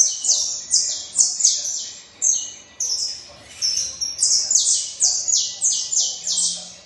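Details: Saffron finch song in bursts: a quick series of high, falling chirps, a brief lull with softer notes, then another energetic run of sharp downslurs.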